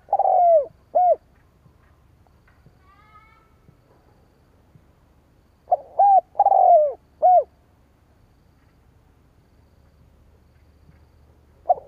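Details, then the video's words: Spotted dove luring rival doves with repeated phrases: a long descending purred coo and short rounded coos. A full phrase returns after several seconds of quiet, and a fragment starts at the end. "Tiếng chim cu gáy kích bổi"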